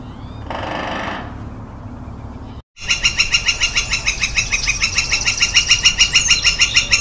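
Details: A Northern Flicker (Colaptes auratus) gives a call series, a long, steady run of loud, ringing notes about six or seven a second, after a brief rustling noise and a moment of silence.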